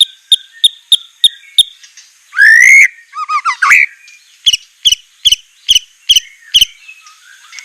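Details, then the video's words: White-rumped shama training song with sharp, rough 'shot' notes: evenly spaced high chips, one loud rising whistled sweep, a short jumbled phrase, then more regular chips. "masteran besetan murai suara semelet suara pedas tembakan kasar"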